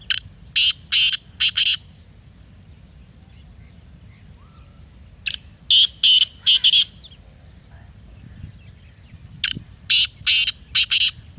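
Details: Three repeated grating phrases of a black francolin, each of four to six buzzy notes, separated by quiet gaps of a few seconds.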